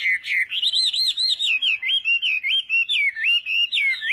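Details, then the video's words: Chinese hwamei in a singing contest, morning voice training: a continuous flowing whistled warble of wavering, looping notes, rising and falling in a steady rhythm. "Hoạ Mi Hót Đấu /hoạ mi hót sáng luyện giọng"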